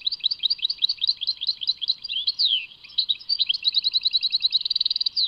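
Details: Goldfinch (European) singing in the Tadmait manner, with a quick chain of bright chirps, a few drawn-out downslurred notes near the middle, then an accelerating buzzy trill at the close.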